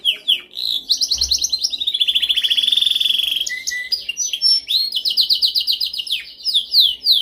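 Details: Dominant canary song for training: sweeping rising notes, then a long loud rolling trill gradually slowing, followed by varied chirps and rapid repeated slurred notes, brief low thump at one point.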